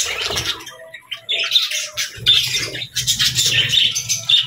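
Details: Morning budgie chatter, dense buzzy warbling and scratchy chirps overlapping continuously, with low rumbling thuds and handling noise underneath.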